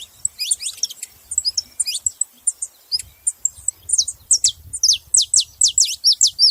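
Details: Saffron finch calling in quick, high, downslurred chirps that grow louder and more regular toward the end, about two per second.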